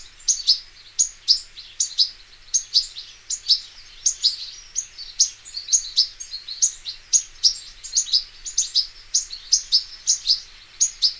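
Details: European goldfinch in the wild, local names Arus al-Turkman and Taqtaq Shawk: a steady series of short sharp high chirps, repeated about twice a second in evenly spaced notes over a faint background hiss.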